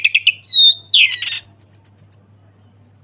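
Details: Caged chestnut-capped thrush in full ngeplong song, used as a lure for silent birds: quick burst of bright whistled notes, a sliding clear whistle, scratchy warbled phrases, then a rapid series of very high ticking notes over a faint low hum.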